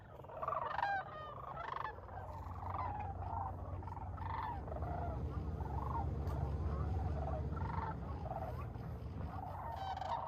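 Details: Sandhill cranes calling near the shore at sunrise in Bosque del Apache National Wildlife Refuge, New Mexico, on a morning of about 19 degrees F in December 2021. Many overlapping rolling, trumpeting calls form a distant chorus over a steady low rumble.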